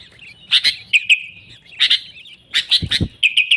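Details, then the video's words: Sooty-headed bulbul song serving as a lure for wild birds: clusters of bright chirps and slurred whistles, with a couple of low thumps near the end. "Suara Burung Kutilang Gacor ASLI Tanpa isian, Ampuh untuk Pikat Kutilang bikin kutilang Ribut gacor"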